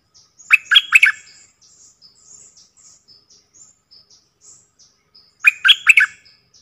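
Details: Decoy bulbul from a set of four decoy birds recorded in the real forest: two short bursts of loud bubbly chattering notes about five seconds apart, over a steady background of faint high thin chirps.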